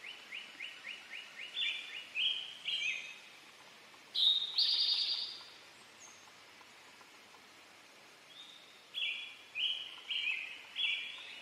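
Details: Male Eastern towhee "drink your tea" song: two whistled introductory notes and a rapid buzzy trill, heard once clearly. Other birds give repeated series of short whistled notes before and after it.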